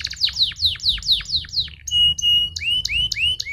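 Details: Canary singing used to prompt other canaries: a string of falling slurred notes, a long steady whistle, then repeated short rising chirps.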